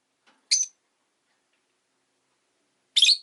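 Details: Rosy-faced lovebird, relaxed afternoon, making two short, harsh, buzzy squawks about two and a half seconds apart, with silence between.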